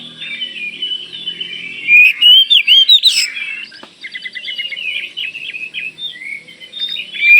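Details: Kalimantan Oriental magpie-robin pouring out vigorous song to provoke replies from other magpie-robins. A soft warble leads into loud, rapid piping notes around two to three seconds, then a lower chattering, buzzy stretch follows.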